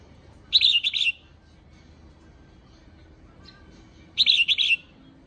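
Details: A female red-whiskered bulbul gives a calling song of two bursts of bright, rapid chattering notes, each about half a second long, roughly three and a half seconds apart.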